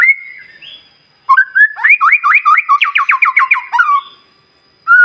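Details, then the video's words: White-rumped shama in energetic song, used to provoke other shamas into singing: a whistled opening note, then a rapid run of about fifteen repeated looping whistles in a steady rhythm, ending in a falling slur. "murai batu gacor SIANG MALAM GACOR TERUS, Cocok Untuk Memancing Emosi Burung Murai NGELOWO"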